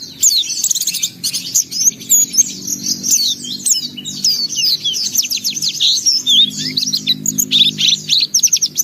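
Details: Pleci in full gacor song showing off isian phrases: dense, fast, high-pitched twittering and chattering runs with scattered clear whistles, almost without a break, over a soft low drone.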